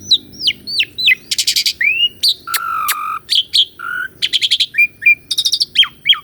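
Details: Asian pied starling singing a varied masteran song with rolling, pumping phrases, recorded to stir a stalled caged starling; whistled downslurs, stacked buzzy bursts and a low rasping note, delivered in quick bursts.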